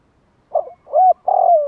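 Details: Spotted dove lure call for rousing other doves: a brief rough note, a clear arched coo, then a long burry coo that slides steadily downward.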